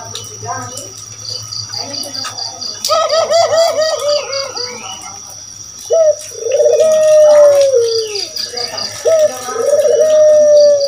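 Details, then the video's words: Spotted dove calling, used to provoke other birds into answering; after a mixed opening, loud drawn-out coos from six seconds on, each a rolling low note that swells and then slides down, over a steady high ringing tone and faint repeated high beeps. "Suara Burung Puter Masteran || suara pancingan"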